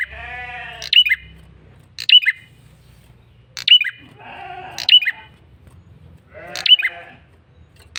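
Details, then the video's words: Persistent lure calling by a male red-headed prinia: bright, high, clipped chirps with a falling tail, repeated every second or so, alternating with harmonic, bleat-like nasal notes over a low hum. "Suara PIKAT prenjak kepala merah jantan GACOR NGOTOT"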